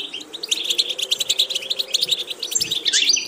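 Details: Rapid, even twittering from a European goldfinch, song used to teach a goldfinch diverse repetitions, with clipped high chirps in quick succession ending in a louder, buzzy, descending flourish.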